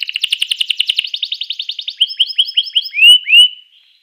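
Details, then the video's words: A canary sings a master song meant to provoke other canaries, opening with a rapid pulsing trill, shifting to repeated rising chirps, and ending with two loud drawn-out swelling whistles. "suara kenari ini 99% jitu sekali membuat kenari lawan gacor"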